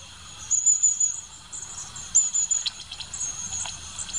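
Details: Long-tailed tit uttering thin, very high-pitched notes in short bursts, with a few soft buzzy tones between them and a faint background hiss.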